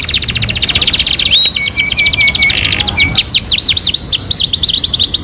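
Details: Canary master song: rapid trill, a run of flat even whistled tones, then bouncing looped notes repeated quickly.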